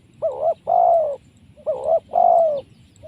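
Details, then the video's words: Wild spotted dove caught by trapping, noted for a very powerful voice and suited as a future decoy bird: two phrases, each a short wavering double coo followed by a long, drawn-out, slightly falling coo, over a low rumble. "Mikat Tekukur,, Suara BL ini powernya sangat kuat"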